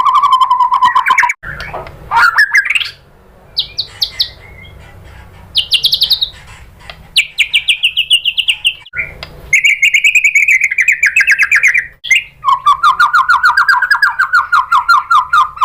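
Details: White-rumped shama lure song for drawing answers from shamas: alternating rapid trills, short whistled phrases and brief pauses, with a quiet low hum in the gaps.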